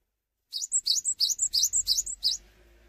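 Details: Lively song of a cinereous tit that stays still rather than hopping, meant to prompt other tits to join in: a rapid series of seven high, sharp, rising notes, each paired with a thin, higher whistle, ending with faint low hum.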